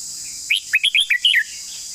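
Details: A red-whiskered bulbul sings a long-style phrase of about seven crisp whistled notes, swooping and slurred, packed into under a second, against a steady high hiss.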